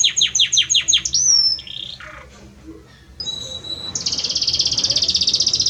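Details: A male Belgian canary sings to his female: a run of five sharp descending chirps, a pure whistled slide, softer twitters, then a long fast high trill building to the end.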